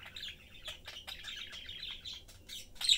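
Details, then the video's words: Budgie family, a mother, father and their chick, chatting during a meal: soft, continuous buzzy twittering of quick chirps, ending in one brighter squeak. "Budgie/Parakeet family lives, chatting, having fun and eating."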